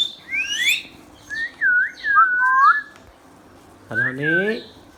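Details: Ringneck parrot kept as a household pet, producing wavering whistled phrases that dip and rise in pitch. A lower, voice-like harmonic sound enters near the end.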